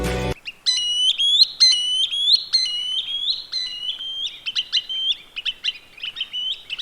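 Green Sandpiper giving clear, ringing, slightly rising whistled notes in a quick run of about three per second, after a brief knock at the start.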